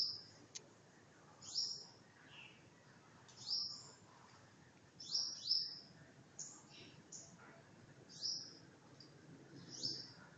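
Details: An unseen bird tweeting repeatedly: high, thin, sharply falling chirps, singly or in quick pairs, every one to two seconds over a soft background hiss.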